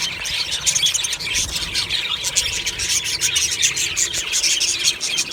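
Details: Budgerigar colony in an aviary, happy morning singing and chirping: unbroken layered chatter of numerous birds, with rapid clicking chirps and warbled squeaks throughout.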